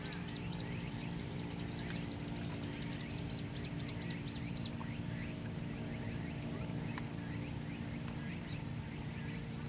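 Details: Little grebe chicks following their parent under lotus leaves at Karasuma Peninsula, 16 August 2015, give thin, high peeps in a rapid, steady stream, several at once, over a constant low rumble of wind or traffic.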